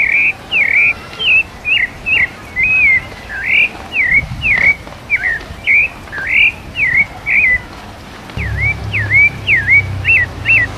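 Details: Live recording of a São Paulo type Rufous-bellied thrush in mateiro song: rich series of clear whistles, sharp up-and-down slurs and hooked notes, continuous delivery, brief low thump partway, faint hum later.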